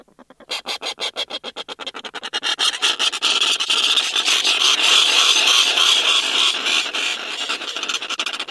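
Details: A pair of snow petrels (Pagodroma nivea) calling from inside their nest, recorded close up in June: harsh, grating chatter of spaced dry clicks speeding into a fast continuous rattling churr.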